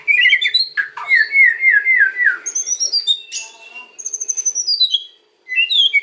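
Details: Kretekan and ocean style white-rumped shama song to attract other birds: a rapid series of descending slurred notes, about four per second, then a high sweet trill, a brief silence and a fresh phrase.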